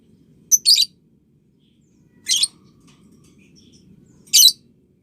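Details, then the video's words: Lovebird sounds used to coach young birds: three harsh, noisy high squawks spaced roughly two seconds apart, the first a quick double note, over a soft low background rumble. "Masteran Love Bird Paud & Balibu Dijamin Latah Ngekek"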